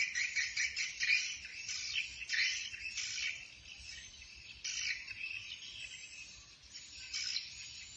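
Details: Swiftlet calls used to call the flock, from Bình Định, Vietnam: dense, continuous high chittering in overlapping bursts roughly every second, swelling and fading with a steady hiss underneath.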